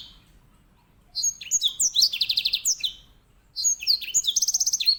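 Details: Edel sanger, the grey singing finch, sings bright swooping notes ending in a fast buzzy trill; a second phrase starts with the same pattern after a pause.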